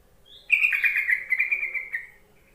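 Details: Yellow-vented bulbul call played to make lazy bulbuls sing: one thin rising note, then a long bubbly, slightly falling chatter of rapid notes lasting about a second and a half.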